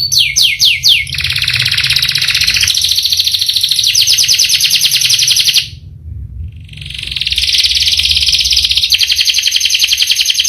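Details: Canary in continuous song, described as a long rolling song: rapid trills of descending high notes, fast and buzzy, with a short pause near the middle before the rolling resumes; faint low background hum.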